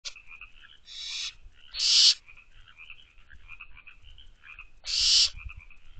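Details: Barn owl owlets in a nest box at night, 12:24 am on 24 May 2023, seen from an outside camera: three harsh, breathy hissing screeches of about half a second each, the first softer, over a steady, faint high trilling chorus.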